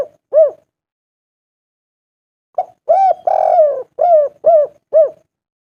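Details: Local spotted dove calling a female with clear coos. A single short coo sounds, then a pause of about two seconds. A quick series of low, rounded coos follows, including one drawn-out note in the middle.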